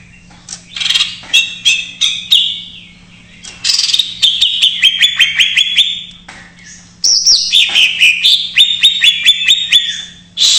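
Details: Rapid isian-style chatter from a greater green leafbird, a lure for untrained or silent birds: fast repeated clicking trills and high whistled strings in two long bursts, with a steady low hum.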